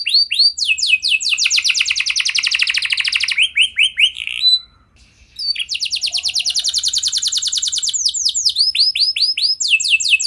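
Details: Lively canary song meant to spur other canaries into singing, with varied phrases: swooping notes leading into long rapid trills, a short pause, then another fast trill and more descending swoops.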